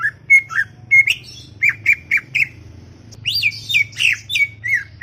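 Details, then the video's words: Greater green leafbird in chattering song, mixing short whistled notes with looping, slurred phrases at an uneven pace, with a low background hum. "CUCAK IJO cerewet bin bawel"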